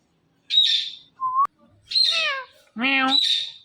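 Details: Indian ringneck parakeet: a harsh squawk, a short whistled note, then two more raspy calls, one of them deep and strongly buzzy.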